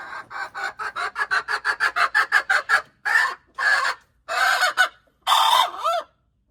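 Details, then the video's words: Hen crowing, 21 January 2025: a speeding series of rough clucks, then four longer hoarse drawn-out notes, the last ending in a wavering downward slur. "hen crowing, poj qaib qua poj qaib seev"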